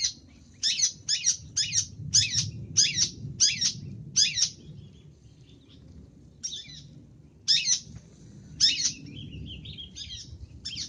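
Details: Cendet, the long-tailed shrike, singing gacor full isian: a fast string of harsh, scratchy bursts for four seconds, a pause, then sparser rasps mixed with softer twittering warbled phrases.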